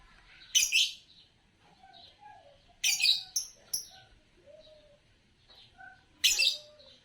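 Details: Green Fischer's lovebird: three loud, rasping chirps spaced a few seconds apart, with soft high whistled notes and faint lower squeaks between them.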